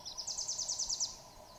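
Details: Swainson's thrush singing a faint, high, fluty phrase of quick stepped notes that spiral upward, fading at the end, over soft background hiss.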